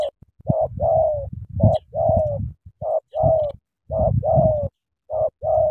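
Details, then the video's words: Spotted dove from Cà Mau, Vietnam, cooing eagerly in the sắm thổ style: paired mid-pitched coos, the second note longer with a falling tail, repeated in steady phrases, with low thumping underneath. "Sắm thổ quá hăng hàng gù tuyệt vời"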